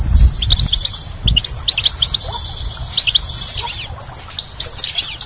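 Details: Spring song of the goldfinch, a dense stream of bright, high twittering phrases mixed with quick chirps and buzzy trills, with low thumps and rumble underneath.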